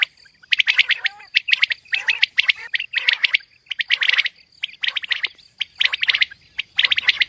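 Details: Female common quail (batair) calling in a mixed call: harsh, rasping bursts in tight clusters of three to five pulses, repeated almost without pause, over a steady thin high whine.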